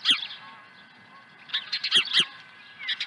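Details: Osprey arriving at its Dunrovin Ranch nest with a second fish, 23 April 2020. A sharp high chirp opens, then after a pause a loud cluster of piercing chirps follows, and a few softer chirps end it, over a low hum.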